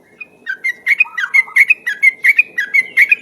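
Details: Yellow-vented bulbul singing as a lure, with clear whistled notes repeated rhythmically about three times a second, each note paired with a lower slurred tone, loud and steady.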